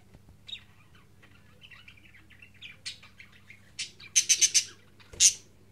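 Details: Fifteen-day-old budgerigar chick moving about and preening; soft scattered chirps build into a run of loud, harsh, buzzy bursts near the end, against a faint low hum.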